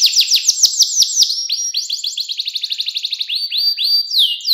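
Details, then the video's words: Young canaries learn from this clear-voiced 'cengkok mewah' canary song: quick falling whistles, a fast, even trill, then slower upswept notes repeated a few times. "KENARI CENGKOK MEWAH SUARA JERNIH, COCOK BUAT MASTERAN KENARI PAUD BELAJAR BUNYI"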